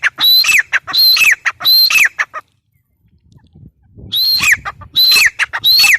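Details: Teetar (grey francolin) giving three harsh, ringing phrases about a second apart, falling silent for nearly two seconds, then resuming with three more shrill whistled phrases that slur downward.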